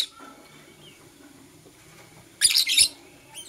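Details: Lovebirds, blue opaline and parblue euwing opaline, chirping in the morning: after near silence, one dense burst of shrill, high chirps lasting about half a second, then a faint trailing note.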